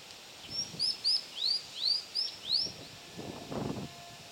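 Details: Scarlet minivet on 6 June 2010, giving a quick run of about eight thin, high, sweeping whistles over two seconds, against soft outdoor background noise and a low rumble.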